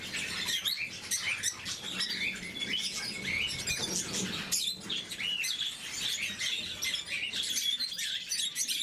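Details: Caged lovebirds of the blue mutation call during morning feeding, a lively unbroken twitter of high-pitched chirps from several birds.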